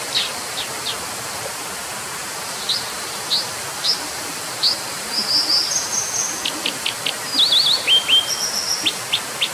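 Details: Brown dipper (Cinclus pallasii) with scattered sharp high notes building into a faster phrase of thin whistles and rapid trilled notes, against steady rushing noise.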